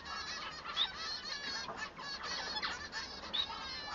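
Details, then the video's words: Short burst of male Bengalese finch song made of drawn-out buzzy, nasal notes in quick succession, with two thin high squeaks. "El canto del manon"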